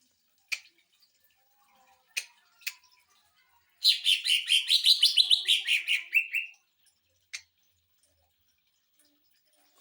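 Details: Greater green leafbird singing its rapid 'sewing machine' burst, meant to train and stir up other birds: a few scattered clicks, then a dense run of quick chattering notes for under three seconds, fading on a downward slur.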